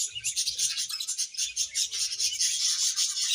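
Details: Budgerigars chirping together in a contented colony, a thick stream of high, fast, raspy twitters and chattering notes pulsing several times a second without a break.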